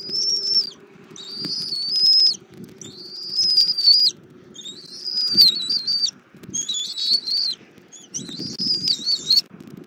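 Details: Bald eagle eaglet E23 at a Southwest Florida nest while its mother feeds it armadillo for breakfast: high, thin whistled calls with slurred pitch wavering, given in repeated bursts of about a second, over low rustling and nest noise.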